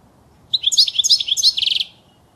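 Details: European goldfinch song offered as a faultless model for young birds to learn: quick, bright twittering phrases of high chirps ending in a fast buzzy trill, roughly one and a half seconds long, with no other sounds.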